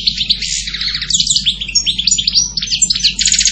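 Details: Goldfinch song, a dense rush of tinkling, twittering notes and rapid slurred chirps, rising and falling in quick succession with a few scratchy trilled phrases.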